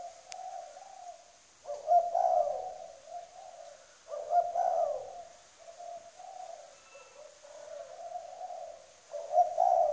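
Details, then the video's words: Strongly cooing spotted dove, a trained decoy from Trà Vinh, Vietnam: low, throaty coo phrases, each opening with a loud accented note, repeat about every two to two and a half seconds over quieter continuous cooing. "Mồi cây kèm gù cứng"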